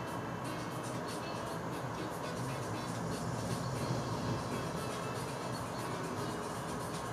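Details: Continuous rumbling, rattling noise like a passing train, with no animal calls.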